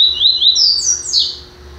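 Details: Caged double-collared seedeater, a newly acquired bird, singing the FBI song style: a quick series of clear, high whistled notes, each sliding upward, ending in a sharper, louder rising note, indoors with faint background hum.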